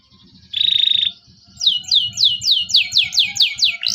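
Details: Local canary song played to teach young canaries: a short buzzy trill after faint chatter, then a series of about ten downward-sweeping whistles repeated evenly, roughly three per second.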